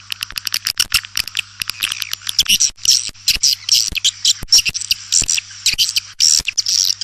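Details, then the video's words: Swiftlet producing rapid dry clicks mixed with short, high squeaky chirps, irregular in timing, over a faint steady low hum. "Suara Burung Walet"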